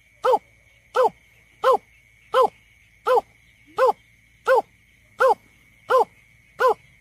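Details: Greater painted-snipe lure call for bird surveys: ten short, arched, hooting notes with upper harmonics, repeated steadily about every 0.7 seconds, with a faint constant high whine underneath.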